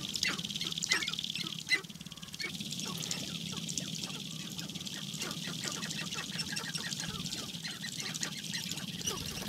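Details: Sharp-tailed Grouse males on a spring lek in the Namekagon Barrens, Wisconsin, dancing and sparring before hens. A dense stream of sharp clicks and clucks from many birds runs over a steady high hiss.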